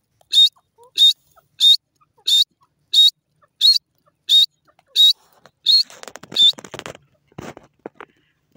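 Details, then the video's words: Wild grey francolin giving a steady series of short, shrill, high notes repeated about every two-thirds of a second, nine in a row, before rustling and scraping noises take over near the end. "wild grey francolin awaz,desi teetar ki boli"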